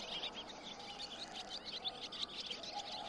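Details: A barn swallow gives a dense, lively twitter of quick, high, warbling chirps, unbroken for the whole stretch, over a constant low rumble of background noise.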